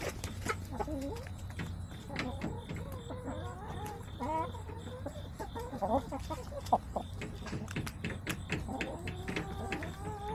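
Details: Several backyard hens in September giving wavering, chattering clucks and short rising notes, overlapping throughout, over a low mechanical hum.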